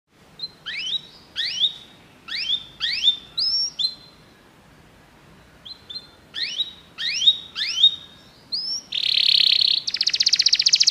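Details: Canary song played to stimulate a pet canary to sing: clear whistled notes sweeping upward, grouped in short bursts with pauses, then ending in a loud buzzy trill and rapid rattling notes.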